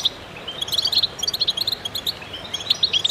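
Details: Goldfinches in a singing chorus, used to stimulate birds: rapid, sparkling high chirps and liquid trills stream along almost without pause.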